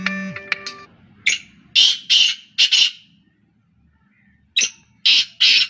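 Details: Black francolins calling continuously, three birds present: after a brief burst of music, a rasping phrase of grating double notes, then a pause and another harsh phrase begins.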